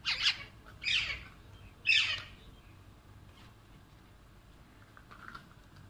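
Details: Alexandrine parakeets fighting over and playing with toys: three loud, harsh, broadband squawks about a second apart, followed by quieter faint calls and low background rumble.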